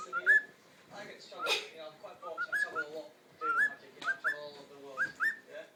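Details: Pet cockatiel talking and singing: a string of clear, mid-pitched whistled notes, many with an upward flick, mixed with chattering, speech-like babble and one harsh broadband burst.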